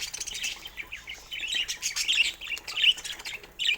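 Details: Pet budgerigars chirp during morning toy play, a continuous stream of twittering, buzzy warbles with bright squeaky peaks and faint ticking sounds throughout.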